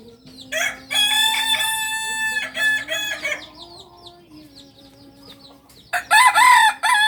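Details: Kokok Balenggek roosters on a farm in Solok, Indonesia, the breed's native home; one long even crow, a second shorter one, a quiet gap with faint chirps, then an abrupt loud crowing burst.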